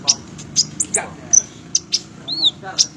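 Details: Fighter-type olive-backed sunbird giving scattered high, piercing chips and one arched, slurred whistle, spaced roughly every third of a second over a low background hum.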